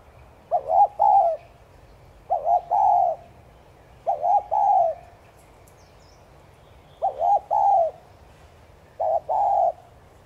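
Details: Spotted dove 'thúc gù' coos aimed at stimulating caged doves: five low hooting phrases of paired short notes ending in a drawn coo, coming every two to three seconds, otherwise quiet.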